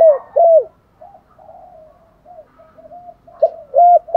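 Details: Spotted dove luring call: two loud mellow coos, a stretch of soft murmured cooing, then two more strong coos at the end, each note arching slightly in pitch.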